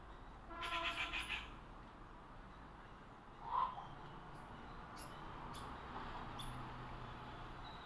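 A Rufous treepie gives a harsh, grating burst, then a single short lower note and a few faint sharp ticks over steady background hiss.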